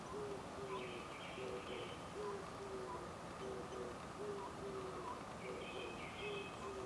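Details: Oriental scops owl perched on a tree branch, calling at the Suchon-ri tombs in Gongju, Republic of Korea, morning of 24 April 2025; low, clear hoots repeated in quick pairs, roughly every two seconds, with high chirping birds and constant hiss behind.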